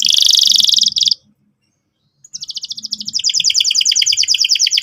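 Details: Gacor canary in full song, used as a lure to set another bird singing: a loud, dense buzzy trill, a brief silence, then a quickening series of rolled, bubbling notes building into a steady rattle.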